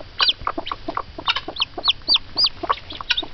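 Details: Excited mother hen reacting to peeps from hatching eggs, giving rapid, low, broken clucks while thin, high chick peeps slide downward between them, several per second.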